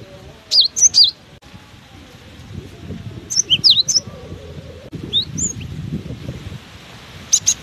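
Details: Cinereous tit singing vigorously while buffeted by strong wind: bursts of high, sharp whistled notes, some rising and some falling, in quick groups of three or four, over a constant low rumble of wind.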